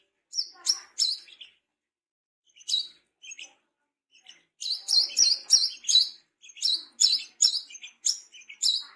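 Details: Wiceh-style calling from a tame, wild-caught brown-throated sunbird: scattered high chirps at first, then dense, fast runs of sharp notes with brief breaks between.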